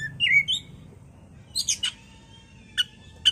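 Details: Oriental magpie-robin (kacer) on a bait recording meant to make the bird agitated and sing: a few slurred whistles, a trio of scratchy notes after a pause, then isolated sharp chips with a thin, long-drawn whistle.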